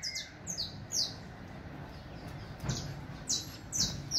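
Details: Saffron Finch, song meant for teaching: high, downslurred whistled notes in small groups with pauses, over soft background rumble.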